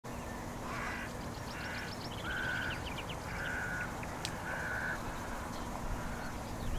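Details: Black-headed gull recorded with a RODE VideoMicro microphone: a series of harsh, grating, flat calls of about half a second each, with quick high ticking notes from other birds between them over steady low background noise.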